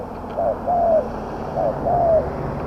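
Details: Thai spotted dove in a decoy trap pen aimed at medium-voiced wild doves, giving two soft phrases of a short note and a longer falling coo, partly muffled by broad background noise.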